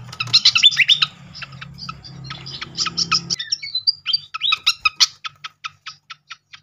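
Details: Srikatan (flycatcher) lure song to prompt birds to reply: rapid jumbled twittering gives way to clean, evenly spaced short chips repeated about four times a second. A faint hum is heard early on.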